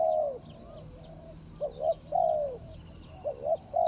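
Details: Spotted dove set out as a ground decoy for a rival, recorded 24 January 2565 (Thai calendar). It gives soft bubbling double coos and a long sliding coo with quiet gaps between phrases. Faint bird whistles sound in the background.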